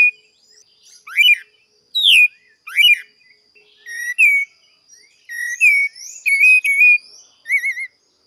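A Creamy-bellied Thrush sings short, varied whistled phrases, some slurred down and others warbled, mixed with thin high squeaky notes and spaced by brief pauses.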